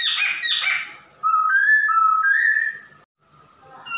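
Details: Male masked laughingthrush singing: two harsh rasping notes, then a smooth series of clear whistles stepping up and down, a pause, and a faint closing note.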